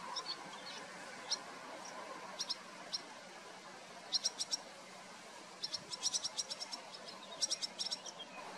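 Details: Two large, well-fledged barn swallow chicks beg with high, thin chips, scattered at first, then in quick excited bursts, as their parents feed them, over a soft steady hiss.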